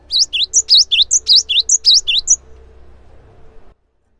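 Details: Cinereous tit song, busy and loud, intended as a lure that makes other birds join in. Around a dozen sharp, high, dipping whistles come in quick succession for two seconds, then a faint hum trails off.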